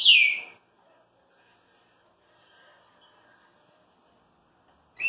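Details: A green-winged saltator in Rio de Janeiro, singing strangely again after a dry moult, gives one loud, clear whistled note that slides downward, then falls quiet before a second note begins at the very end.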